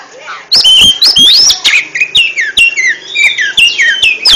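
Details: Energetic ngentrok song from an oriental magpie-robin: clear whistled notes sliding down and up, each phrase cut with crisp clicks, repeated in quick succession without a break.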